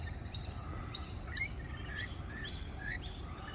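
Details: Australian rainbow lorikeets close by give short, grating screeches about once a second, interleaved with higher chirps over steady low background noise.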